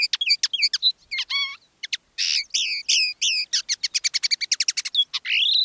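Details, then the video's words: Common linnet kept as a decoy bird, singing live in one of two styles: continuous rapid twittering mixing chirps, nasal buzzes, fast trilled runs and a closing rising whistle. "Canto del Pardillo"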